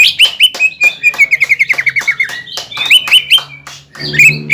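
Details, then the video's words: Greater green leafbird song for provoking a rival: a quick series of short, slightly descending whistled notes, then sharp upswept whistles, with a faint low hum beneath. "PANCINGAN CUCAK IJO GACOR BIKIN HYPER CUCAK IJO LAWAN LANGSUNG JAMTROK DAN PANAS"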